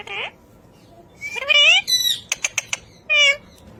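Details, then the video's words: A pet ring-necked parakeet talking: a few warbled speech-like phrases with sliding tones, a burst of quick clicking notes and a final wavering squawk, against quiet background. "Raw Parrot Talking Video"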